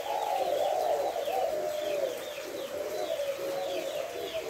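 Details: Spotted dove giving its five-note cooing call, a style known locally as hậu 2, recorded on 3 August; low, mellow rolling coos run together steadily, with faint high chirping of other birds behind.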